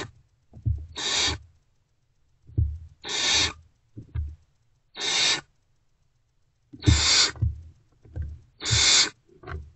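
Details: Unfed Great horned owl owlets in nest box, early morning 5:31 am, 3 March 2024, reacting to an adult's return: harsh breathy hissing screeches, five in ten seconds, with soft low thumps and shuffling between them.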